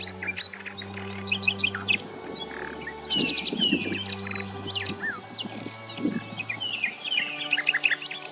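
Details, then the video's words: Common nightingale (Luscinia megarhynchos) song: rapid, varied phrases of high whistles, sweeping slurs and dry trills, shifting every second or so, over a low steady hum. "the tenor nightingale"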